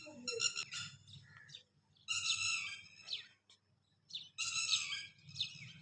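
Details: Red-wattled lapwing guarding its chicks, with male and female protecting the young until they fly. It gives three bursts of shrill, strident, rapidly repeated notes separated by brief pauses over a soft low hum.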